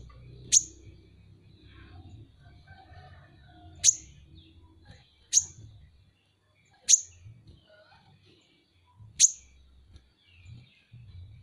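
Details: Van Hasselt's sunbird, known locally as kolibri ninja, gives five separate piercing high chips spaced one to three seconds apart. Each is a brief, sharp note over quiet low background noise.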